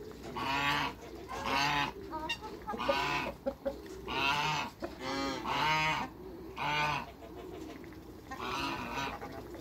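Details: Six domestic geese, African and Toulouse breeds, honk steadily when people come to meet them, loud harmonic nasal calls repeated about every second for nearly ten seconds, with a brief break before the last call.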